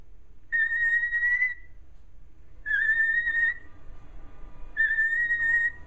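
A cockatiel gives three clear, level whistled peeps, each about a second long, meaning yes.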